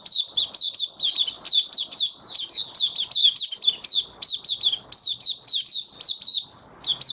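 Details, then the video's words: White-eye kept as a caged songbird in Singapore, recorded 18 May 2022 after deworming: rapid, continuous high chirping song of repeated rising-falling notes, several per second, with faint low clatter beneath. "Mata Puteh Kitaro buka sing"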